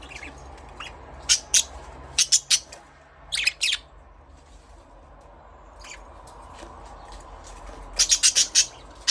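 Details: Budgerigar chirping: short, bright, high chirps come in tight clusters of two to five, with quiet gaps of a second or more between bursts and a faint low background hum.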